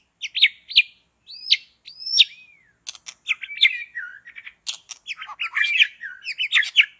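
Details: Forest white-rumped shama, long-tailed, singing while trappers work: a few spaced upslurred whistles open into a dense, jumbled stream of chirps, trills and sweet whistled phrases.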